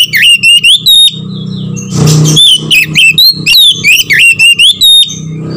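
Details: Oriental magpie-robin lure call, meant to make lazy or silent magpie-robins sing: steady series of loud, warbled whistles that rise and dip, interrupted once by a short harsh burst of noise.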